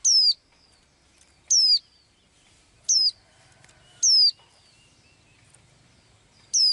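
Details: Blue-eyed little bird in its daily singing: five identical piercing high whistles, each a quick falling slide, spaced roughly every 1.2 seconds, with near silence between.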